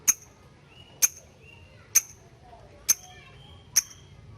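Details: Lovebird giving sharp, isolated ticking calls (ngetik) to call a rival, in a training recording for young birds. Five crisp high clicks land roughly once a second over a quiet background, with faint thin whistles between them.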